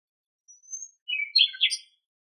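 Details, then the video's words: In Greek nature a common nightingale sings a long thin rising whistle, then a short burst of harsh, rich chirping notes in quick succession, clear against silence. "Το Αηδόνι Κελαηδάει - Αηδόνι Κελάηδημα - Nightingale singing"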